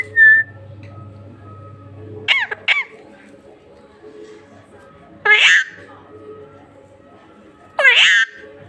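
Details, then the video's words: Pet parrot talking indoors, mimicking speech: three short harsh, squawky bursts of imitated words spaced a few seconds apart, with a brief whistle at the start and quiet room noise between. "Talking parrot"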